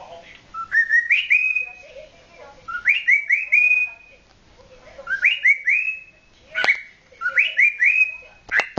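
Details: Young male cockatiel of nine months courting with a repeated whistled phrase: a low note then several rising, slurred whistles, given about four times with pauses between and a few sharp clicks near the end.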